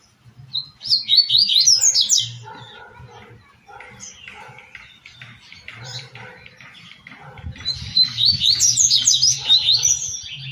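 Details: Double-collared seedeater song in the tui tui style, from a 2024 recording for training captive birds: a loud, fast run of high whistled and slurred notes, repeated after a pause, over a busy background of other chirping birds and a low hum.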